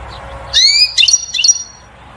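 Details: European goldfinch song meant to stimulate a female to mate and nest, a style called batbata: one short burst of bright twittering notes with a sliding whistle and quick high chips, over faint background hum.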